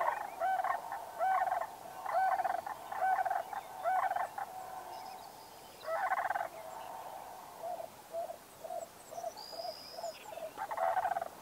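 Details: Sandhill cranes in North America trading rolling, trumpeting calls: loud rattled bugling phrases alternate with softer, evenly spaced answering notes about once a second, while a high thin whistle sounds faintly near the end.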